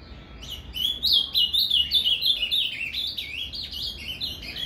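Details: Ultramarine grosbeak (azulão) singing a Paraná canto fibra style song, played to warm up a captive azulão; a fast, unbroken warble of rising and falling whistled notes, about three per second, over a faint low hum.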